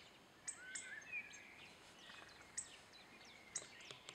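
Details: One of a couple of hawfinches gives sharp, high, clipped 'tik' notes at irregular intervals of a second or two, with faint thin whistles of other birds and a quiet outdoor background.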